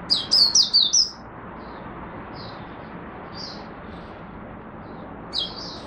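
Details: Oriental white-eye, Singapore, humid rainy overcast day on 23 March 2023, buka sing: a fast burst of five sharp high chirps, then faint scattered notes and a final short phrase over a steady background hiss.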